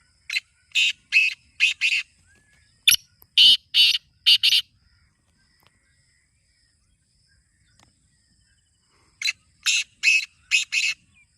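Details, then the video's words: Kala teetar, the black francolin, calling in rasping phrases of about five harsh bursts, a pause with three more, a long silence, then another five-burst phrase. Offered as a method to make a kept bird begin calling. "Kala Teetar Awaaz Kholne Ka Tarika | Black Francolin Calling Formula"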